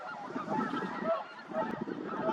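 A flock of bean geese raises a dense, overlapping chorus of nasal honks in alarm, swelling in bursts with no pause between calls.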